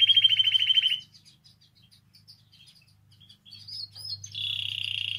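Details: Canary singing, meant to stimulate other canaries: a fast bright trill for a second, a pause of faint scattered chirps, then another rapid high trill at the end over a low hum.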